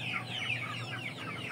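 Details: Chickens kept in a coop of Aseel, Oshamo and Ganoi fowl: brief string of thin, high, falling peeps over a low hum.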